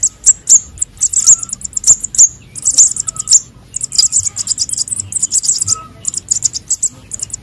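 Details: Calls of young konin and sogon sunbirds used for luring: a dense, rapid stream of very high, thin chips and squeaks, becoming almost continuous, with faint lower tones now and then.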